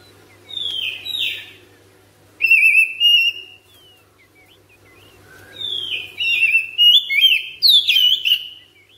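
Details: Oriental magpie-robin kept at home, in ngropel long-breath singing: separate bursts of bright whistles that slide downward and warble, split by short silences, over a faint low hum.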